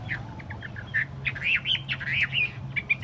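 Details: Chinese hwamei, a tame caged bird kept on a table, gives a short warbled phrase of slurred whistles rising and falling, rather soft against a low background hum.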